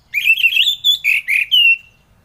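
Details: Orange-headed thrush song for coaxing reluctant thrushes to sing in the morning: a quick run of clear whistled phrases, gliding and warbling, ending in a long falling whistle.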